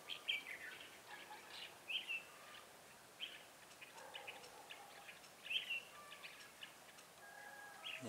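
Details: Red-whiskered bulbul used as a decoy in a trap for wild bulbuls, recorded 7 January 2018: short bright chirped phrases, some rising and falling, come in scattered bursts over steady background hiss.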